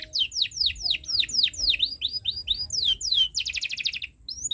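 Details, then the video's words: Canary song for teaching young birds, a run of clear downward-sweeping whistles repeated about four times a second, finishing in a fast chattering burst of staccato notes. "Suara Burung Kenari ● Masteran Kenari Paud Belajar Bunyi | Kenari Gacor Cuit Cuit Panjang"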